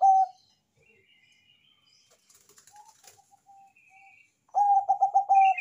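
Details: Zebra dove of the Bangkok perkutut type with a big voice, singing to draw others into cooing: soft scattered notes and twitters, then a loud phrase of rapid, evenly spaced mellow coos.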